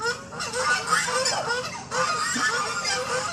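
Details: Domestic geese playing outside in front of a house give loud, nasal, overlapping honks in a steady stream, with a brief pause midway before the honking resumes.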